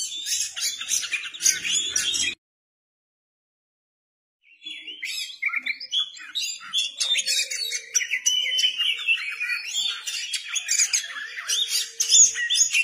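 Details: Kacer, or Oriental magpie-robin, sings in energetic nonstop 'gacor ngeplay' fashion with its tail spread: fast, scratchy, high chattering phrases and mimicry-like trills. A two-second pause breaks it before a long run of shrill notes.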